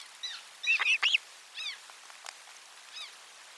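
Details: Osprey on a nest camera, 12 July 2022, as lunch fish arrives: two strong, sharp, arched whistled notes in quick succession amid softer distant chirps.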